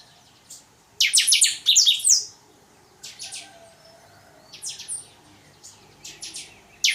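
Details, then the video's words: Chopi blackbird song of the totonsidonso style: a rich, loud cluster of rapid high chirps for about a second, then scattered shorter chirp groups and a final sharp note, in a quiet setting. "Chanchão canto totonsidonso"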